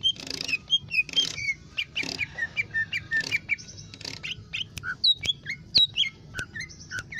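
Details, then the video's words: Lesser green leafbird singing in a kept setting: a rich, chattering run of buzzy bursts and quick whistled slurs, later breaking into bright rising squeaks and short chirps, steady rapid delivery over a low background hum. "CUCAK IJO MINI gacor"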